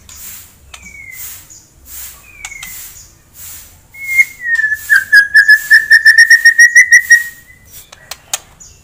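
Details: White-rumped shama song meant to provoke a rival bird's aggression: two short falling whistles, then a long level whistle breaking into a fast run of about a dozen bright repeated notes, with faint background hiss.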